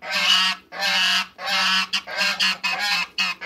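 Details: African geese, two males and one female, going after waterbirds in a backyard: rapid series of loud, harsh, nasal honks, each about half a second, coming in close succession and shortening toward the end.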